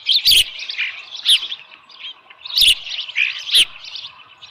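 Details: Osprey at its nest on 13 July 2018 around 7:10 AM, with a small live fish, giving high, thin chirps in quick clusters, broken by several sharp loud clicks.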